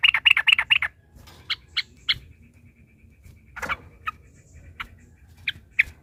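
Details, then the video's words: Excited yellow-vented bulbul opening with a rapid burst of six bright chattering notes. Spaced single notes and faint calls follow at irregular intervals. "trucukan ropel panjang TARUNG PANCINGAN TRUCUKAN agar bunyi jadikan burung trucukan gacor EMOSI"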